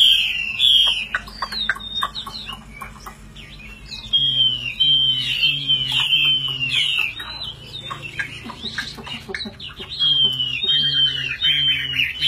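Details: Hand-carried caged Chinese hwamei, tame and kept for fighting, singing while its cage is shaken. Bursts of loud looping whistles and warbles broken by short pauses, with sharp clicks and a low repeated droning sound in the middle.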